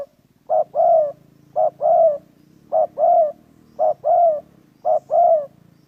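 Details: Dove cooing, identified as a spotted dove and tied to trapping wild doves: five evenly spaced two-part phrases, a short hooted note leading into a longer falling coo, over a faint low buzzing background.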